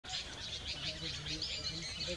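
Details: Streaked laughingthrush singing: a busy run of short, high chirping notes, several each half second, over a low background rumble.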